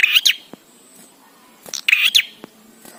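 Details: Two sharp, twittering bar-winged prinia phrases about one and a half seconds apart, from a recording meant to get prinias singing quickly.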